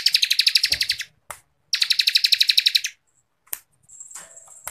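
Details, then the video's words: Bar-winged Prinia (ciblek kristal) singing in tight 'ngebren' style, meant for training contest birds: two fast runs of sharp, high pulsed notes, about a dozen each, then a thin steady whistle and faint scratchy sounds. "CIBLEK KRISTAL GACORRRR FULL NGEBREN RAPAT"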